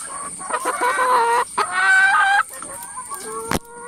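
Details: Noisy hens in a coop, many birds calling at once: loud harmonic squawking bursts around one second long, separated by brief gaps, then quieter clucks and a sharp knock near the end.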